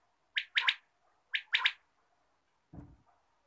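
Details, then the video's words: Morning quail call: one sharp, clipped note followed by a quick double note, given twice about a second apart, then a low dull knock. "batair ki awaz, Bater Voice, Bater Sound, batair ki awaz subha"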